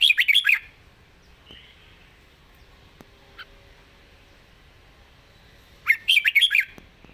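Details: A caged red-whiskered bulbul sings a rapid half-second phrase of warbled whistles. After about five seconds of near silence with a faint soft note, it gives another similar bubbly phrase.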